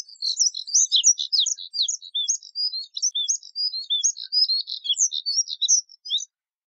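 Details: Long, unbroken high twittering song of a Moussier's redstart: hurried scratchy chirps, quick upslurs and downslurs tumbling on for about six seconds in quiet surroundings.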